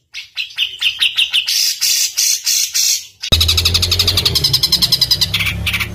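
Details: Rough, tight rolling songbird song used as tutor audio for competition birds such as murai batu, cucak ijo, kacer and cendet: paced repeated notes, rising higher, then an abrupt switch to a dense rapid trill over low hum.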